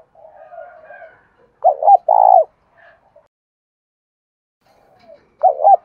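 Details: Cooing of a spotted dove, played to make decoy doves start calling fast: soft low murmuring, then a clear phrase of two quick hoots and a drawn-out throaty coo, and after a pause another phrase begins at the end.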